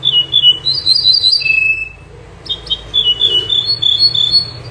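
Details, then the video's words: Loud, close song of a common nightingale (local names bouh zarhouni, minyar), a singer said to sing both day and night: rapid high chirped phrases and a drawn-out whistle, a brief pause, then more quick repeated bright notes. "تغريد طائر البوح الزرهوني او طائر المنيار من طيور التي تغرد بليل و نهار"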